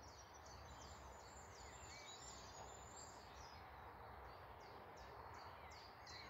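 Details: Morning woodland birdsong near Malton, North Yorkshire: faint, high, clipped downslurred notes in an uneven run, some rising chirps between, set against constant low-frequency rumble and broad background noise.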